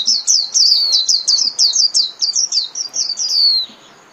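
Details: Líu-style song of a Japanese white-eye, used as daily training audio for kept birds: one continuous three-and-a-half-second run of fast, high, downslurred chirps in even rhythm, ending cleanly.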